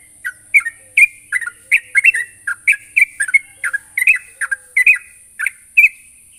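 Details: Sooty-headed bulbul, calling a rival, repeats crisp, bright chirps and slurred two-note phrases at a brisk, uneven pace for about six seconds, with a steady high background tone.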